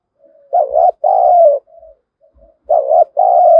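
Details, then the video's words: Spotted dove used as a lure to provoke wild birds to fight; two loud double coos, each a short warbled note and a longer drawn-out one, with quiet coos between. "Chim Cu Mồi Thúc Đấu/ tieng cu gay kich boi nhanh noi"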